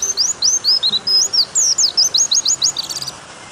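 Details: Long 'nembak' white-eye song for tutoring other white-eyes: a varied run of high slurred whistles, then a quick even series of downward-sliding notes, ending in a faint trilled flutter.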